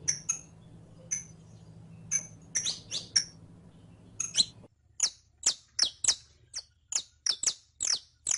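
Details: Saffron finch (canario criollo) kept in captivity, recorded to tutor another bird's song: sparse high chirps over a low hum at first, then a faster run of sharp descending notes about every third of a second.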